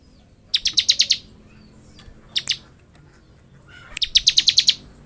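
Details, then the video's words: Bar-winged prinia singing persistently in ngebren style for training and luring: a string of six sharp high chips, a brief double note, then another fast run of seven chips. "Suara burung ciblek gacor full Ngebren"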